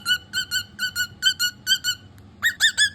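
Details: Pet cockatiel indoors giving a run of short, bright whistled notes with strong overtones, roughly two to three per second, ending in a louder pair of rising, squeakier calls.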